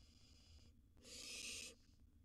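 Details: Wild barn owl at its nest box during feeding time, a gerbil brought in as prey. After faint background noise, a single loud, harsh, breathy hiss lasts about three quarters of a second, then fades back to quiet.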